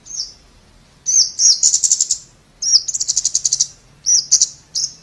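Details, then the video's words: High-pitched song of a scarlet-backed flowerpecker, alternating single sharp tsip notes with rapid ticking trills of about a dozen pulses, three bursts in five seconds. "เสียงนกชมพูสวน Scarlet-Backed Flowerpecker Sound"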